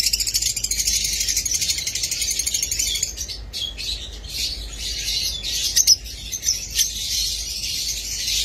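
Lovebirds chatter nonstop, a dense wash of shrill, high chirps and squeaks from several birds at once, with a few sharper notes standing out near the end.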